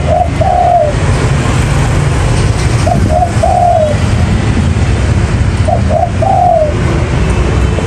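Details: Lure recording of a spotted dove for trapping, giving repeated phrases of two brief coos followed by a longer, slightly falling coo about every two and a half seconds, with constant deep rumbling noise underneath.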